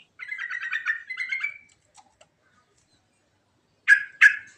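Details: Natural yellow-vented bulbul rolling song with varied phrases, used as bait sound: a fast warbling, rolled run of liquid notes, a pause, then two sharp loud chirps.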